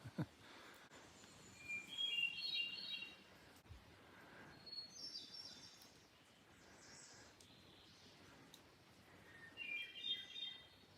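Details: Veery song on the Quehanna Trail in central Pennsylvania on an overcast, rainy day: airy, flutelike phrases spiralling downward, repeated every few seconds over a steady hiss of rain and forest noise.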